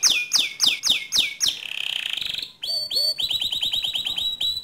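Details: Gacor canary song to train other canaries: a run of loud, high downsweeping whistles, a brief buzzy trill, then rapid clipped repeated notes in a brisk, even rhythm.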